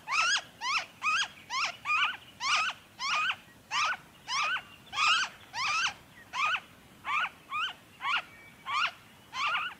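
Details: Noisy friarbird, Victoria, Australia, February 2023: long run of harsh, clipped, rising nasal notes, about three every two seconds, some doubled, over faint background noise.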